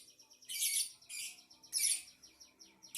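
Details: Shrill chattering from a lovebird, with loud raspy chirp clusters repeating roughly every second and softer quick ticking notes in between.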